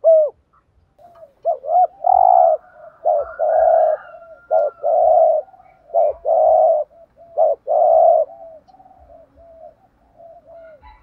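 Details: Urgent driving coo (thúc gù) of a spotted dove, used to stimulate decoy doves: an almost continuous run of loud, steady coos with short hoots between, faint knocking in the background.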